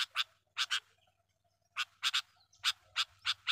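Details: Sooty-headed bulbul call meant as a lure for wild bulbuls: short, harsh doubled chuck notes in paired bursts, a pause of about a second, then a steady run of single notes.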